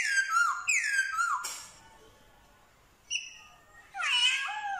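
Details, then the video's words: Black-throated laughingthrush singing in Vietnam, known for mimicking dogs, cats and chickens: two loud descending slurred whistles, a pause, a brief high flat tone, then a rich, wavering cat-like wail. "Khướu bạc má hót giả giọng chó mèo gà như thật"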